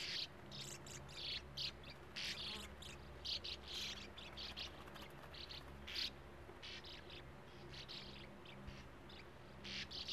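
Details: Breeding Sand martins at burrows in a steep earth bank by a gravel-pit lake; scratchy, grating notes in clusters, roughly every second or two, with a low background hum.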